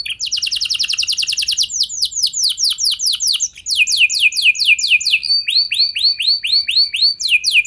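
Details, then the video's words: Singing canary meant to prompt other canaries into long rolling song; a very fast trill of sweeping notes gives way to slower arched, whistled phrases repeated about twice a second, with high overtones throughout. "Pancingan Burung Kenari Biar Ikut Gacor Ngeroll Panjang! Pasti Nyaut Kenari Mana Saja Dengan Ini"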